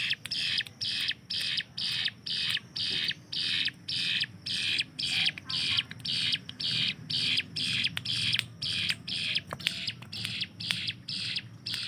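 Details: Hill prinia in captivity, used as a master bird to build speed in competition songbirds. Loud rasping buzzy notes repeat steadily about twice per second, each burst short and harsh, in a quiet indoor setting.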